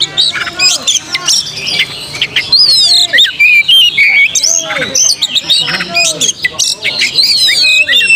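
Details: Oriental magpie-robin song used to rouse young birds into a fighting mood and tail-spreading: sharp whistled notes, high rising and falling slurs and quick chirps in bursts, with lower arched calls mixed in.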